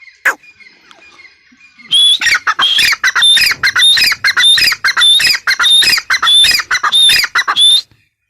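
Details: Female grey francolin calling: after a quiet start, a loud, harsh, rapidly repeated series of squawking notes runs for about six seconds, each with a thin whistled overtone, about 98 notes per minute, ending abruptly.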